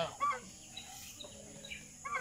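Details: One of three geese gives two loud, nasal honks about two seconds apart, each short and harsh, over a quiet background hum.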